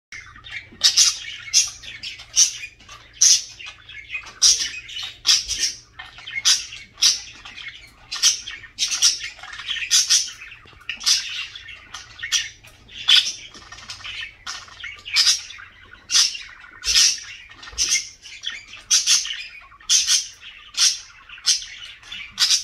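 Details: Budgerigar (Melopsittacus undulatus), call.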